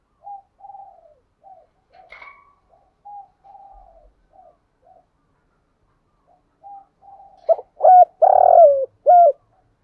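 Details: Spotted dove decoy bird, used for luring wild doves, cooing in the driving style. A string of soft, breathy low notes builds into a loud phrase of quick hoots, a long falling coo and a final short hoot.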